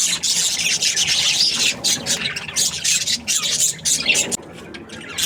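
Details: Happy budgerigars chatter in bursts of scratchy high chirps and squawks, quieting briefly toward the end.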